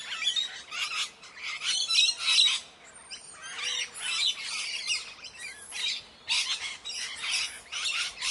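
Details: Several Indian parrots screeching in rough, scratchy bursts, with brief thin whistled notes mixed in and a short lull midway before the harsh calling resumes.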